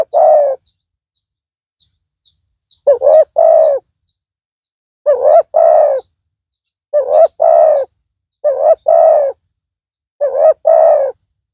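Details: Spotted dove decoy calling to lure a rival; paired low hollow coos, a short note then a longer one, repeated in bouts every second or two, with faint high ticks between.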